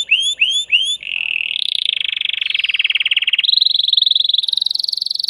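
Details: Caged male canary, aroused and stimulating a female to mate, gives three loud rising whistled notes, then launches into a fast rattling trill. The trill steps up in pitch twice and runs without a break.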